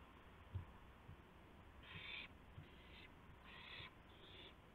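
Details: Owl bringing a gopher to another owl at 2:51 AM, April 2, 2016. Four harsh, airy screech-hisses, some back to back, mixed with scattered light thumps over a low background drone.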